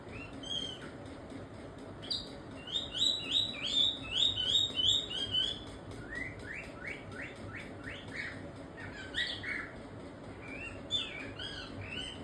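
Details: Cockatiel (Nymphicus hollandicus), chirps.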